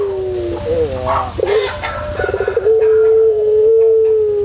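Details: Training song of a white puter pelung dove: rising, wobbling coo notes, a short broken patch with some brief broadband noise, then a long steady low drawn note, over a constant low hum.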